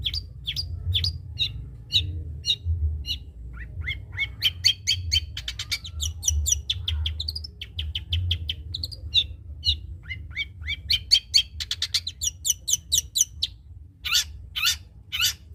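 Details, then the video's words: Long-tailed shrike song filled with kapas tembak mimicry: a varied run of high chirps, fast trills and rapid note bursts, with brief pauses between phrases, over a low background hum. "cendet isian kapas tembak gacor"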